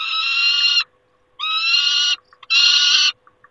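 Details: Calling peregrine falcon at its nest on 28 August 2021 gives three rasping, grating cries of steady pitch, each well under a second, with short gaps and faint ticks between them.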